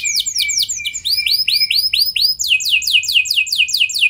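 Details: Canary lure song to prompt other canaries: a series of down-slurred whistles, then upswept chirps at about four per second, then a quick run of falling notes.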